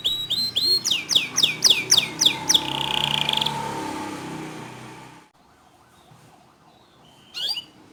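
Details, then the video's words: Canary song meant to coax other canaries into singing: a run of about ten loud, downswept whistled notes, then a short buzzy roll. The song drops into near silence, with one brief chirp near the end. "Masteran Kicau Kenari Untuk Memancing Kenari Lain Agar Ikut Gacor Dor"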